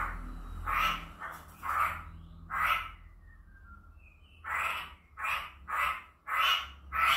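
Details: Chinese hwamei, played to goad a quiet bird into song: spaced raspy bursts, then a soft thin falling whistle, followed by a quicker series of coarse chattering notes, over low background hum.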